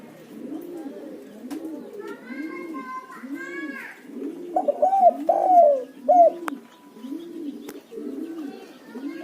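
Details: Spotted dove lure calling: soft, low, rounded coos repeated steadily about every second, joined midway by a louder, higher phrase of arching coos, with brief chirpy notes from another small bird.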